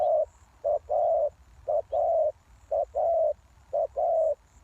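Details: Spotted dove used as a lure bird for trapping wild doves, giving low hollow coos: a short note followed by a longer rolling coo, the pair repeated roughly once a second in a steady rhythm.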